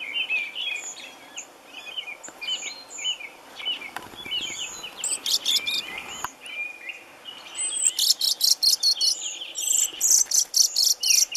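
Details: European robin being freed from a mist net at a bird-ringing station on Lake Ladoga, Russia; thin high wavering whistles and squeaks, then a run of harsh broadband bursts repeated several times a second, with handling rustles.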